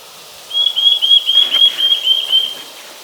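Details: Eurasian nuthatch song recorded 29 March 2023: a fast series of about ten clear, pure whistled notes on one high pitch, evenly repeated, over low background hiss.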